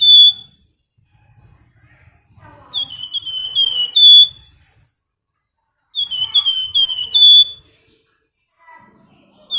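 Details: Flamboyan female calling a male, sharp whistle notes building into rapid slurred series that end on a loud sustained whistle, two full phrases plus opening and closing fragments, with little background noise.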